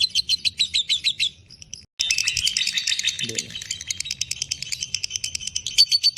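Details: Fighter lovebird in breeding condition: shrill rapid chattering notes, a short gap, then a renewed fast, buzzy ngekek run of high notes with faint lower sounds beneath.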